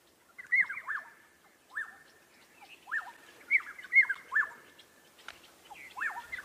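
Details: Black-headed orioles, at least six birds heard, singing in breeding season on 5 October 2016 amid possible territorial dispute: rich fluted whistles in short swooping phrases, roughly every second or so, fairly quiet background.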